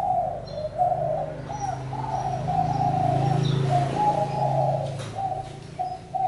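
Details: Low, muffled cooing from a spotted dove continues in short linked notes over a steady low hum. A few faint high bird whistles come through.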